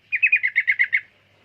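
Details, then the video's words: Sooty-headed bulbul: one quick burst of about eight clear, slightly falling chirps in under a second, evenly spaced, then silence. "Burung Trucukan"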